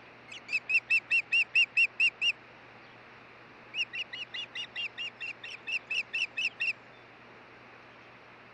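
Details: Osprey at the Hellgate nest, Montana, 16 June 2013, around a stick delivery and changeover: eight evenly spaced shrill whistles, a pause, then a longer, slightly softer run of about seventeen, over a steady hum.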